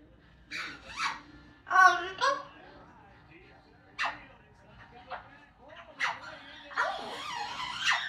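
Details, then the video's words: Amazon parrots in a noisy mimicry session that includes opera, police sirens, Pac-Man sounds and 'corre corre corre'. Here come short harmonic squawks and speech-like bursts, some loud and nasal, spaced irregularly over a steady low hum. "Amazon parrots singing, talking and making noise"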